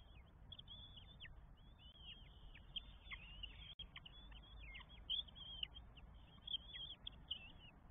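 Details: Begging Northern goshawk nestlings, four chicks fed at their nest in Estonia, 24 May 2022; crowded high-pitched squeals and short down-slurred whistles pour out nearly nonstop, with a brief click partway through.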